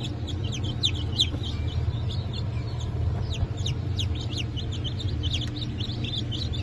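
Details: Freshly hatched chicks from a 1 April 2024 hatch of four breeds: Blue Brahma, Porcelain Brahma, Sussex and Maran. Sharp, downward-sweeping peeps come irregularly from several birds at once, with a low hum behind them.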